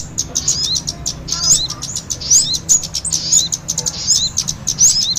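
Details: Kemade and sogon calls combined for trapping small birds, an excited noisy chorus: shrill high chips and short twisting whistles tumbling rapidly together without pause.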